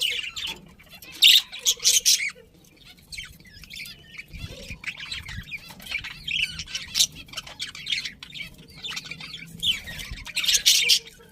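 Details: Budgies chirp in loud, grating bursts near the start and end, separated by a long stretch of softer warbling chatter and faint low thumps.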